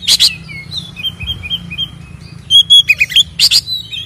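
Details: Oriental magpie-robin fighting song with ngeplong fill to anger other birds: harsh opening chips, a row of soft repeated whistles, then loud ringing notes and another harsh double chip.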